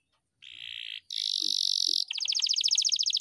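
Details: Domestic canary delivering long rolls without a break: a steady buzzing roll, then a higher, louder one, then a rapid pulsed trill of repeated notes, all high-pitched and unbroken.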